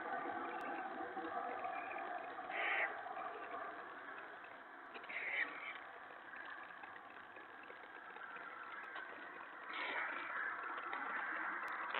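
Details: Steady engine-like rumble and hiss throughout, with a few brief louder bursts and no clear animal voice.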